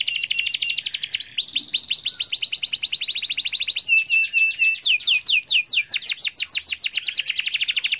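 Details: Canary in gacor (persistent, lively) song: rapid unbroken trills of high descending sweeps, speed shifting between rolling phrases, with a short run of flat whistled notes midway.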